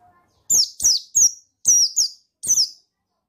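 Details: Buxtoni white-eye male, provoking song from another bird: six loud, shrill chirps in quick succession, each sliding down in pitch with a slight wavering tail.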